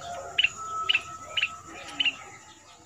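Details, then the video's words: Red-whiskered bulbul of southern Thailand, a new caged decoy bird of the double-note style, played for young birds to sing along; four short clear whistled double notes evenly spaced about every half second against background hiss. "เสียงต่อนกดอกแตงภาคใต้Ep.7 นกต่อใหม่ เจ้ามณี สายเบิ้ล อายุกรง2เดือน ไว้เปิดหัดลูกนกเปิดให้นกร้องตาม"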